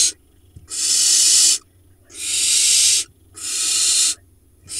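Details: Barn owl nest box in Israel's Hula Valley in late June, nestlings hatched early June; three loud, breathy hissing screeches, each about a second long, separated by short quiet gaps.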